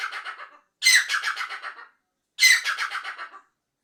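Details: Black francolin, also called black partridge or kala teetar, giving harsh grating calls. Two phrases of rapid pulsed, rasping notes each last about a second and fade away, separated by a short silence.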